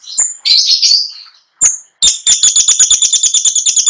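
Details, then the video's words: Long-tailed shrike song full of filling phrases: a high thin whistle and scratchy burst, brief pause, then a fast buzzy rattle of rapidly repeated clicking notes. "PENTET GACOR FULL ISIAN | LAGU MEWAH | NGEROLL NONSTOP"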